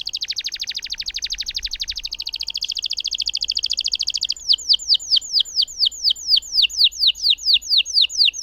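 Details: Canary singing a long roll to stimulate silent canaries: a fast dense trill that steps down in pitch, then a string of slower, loud downslurred whistled notes repeated evenly.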